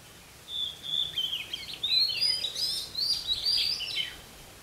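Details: Red-whiskered bulbul song recorded while trying to trap a wild bird: about four seconds of lively, continuous, slurred whistles and chattering warbles, loud and close, with faint steady hiss behind.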